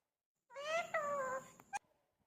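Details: Pet talking parrot saying "mitthu" indoors: two tonal, nasal voiced syllables, then a short sharp click.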